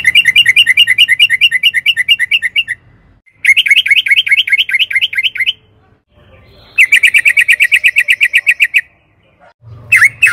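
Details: Yellow-vented bulbul rolling trills, played as a lure to make caged birds sing: three quick pulsing bursts of repeated bubbly notes with pauses between, then a sharp final note.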